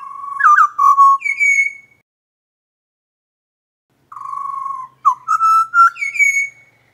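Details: Pied butcherbird of Australia singing loudly in the morning: two rich, melodic whistled phrases of fluting notes that slide up and down, separated by a two-second pause, with no other sounds.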